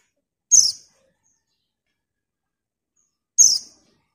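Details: Female white-eye calling a male: two sharp, very high, downward-sliding chirps about three seconds apart, with silence between them.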